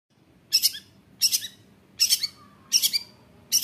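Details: Long-tailed shrike, played to provoke other shrikes into singing and fighting: broad harsh double-pulsed notes, about four bursts spaced roughly every 0.75 seconds, with faint low background hum.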